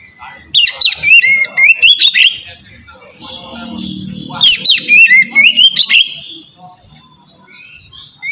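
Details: White-rumped shama (kacer) singing in relaxed 'ngeplong' style, meant to coax lazy birds into song: two bursts of rapid whistled, slurred phrases and sharp notes, with a soft low murmur between them and a quiet trailing note.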